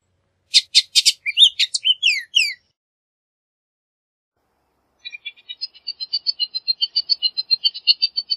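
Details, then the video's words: A male Bullock's oriole gives a two-second burst of harsh rattling notes and slurred whistles, then after a pause a fast run of chattering notes. "Bullock's Oriole Song! Bullock's Oriole Call! Bullock's Oriole Sound! Bullock's Oriole Singing!"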